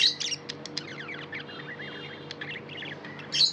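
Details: Pet budgie chatter: loud high chirps open and close the passage, with rapid slurred, buzzy warbling notes between them and a constant faint electrical hum underneath.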